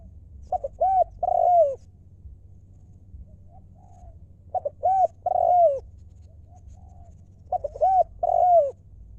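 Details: In Thailand, a wild spotted dove kept as a ground decoy sings its lio mor lam song. Three repeated phrases arrive roughly every three and a half seconds, each a few brief coos then a drawn-out descending note, over low background rumble.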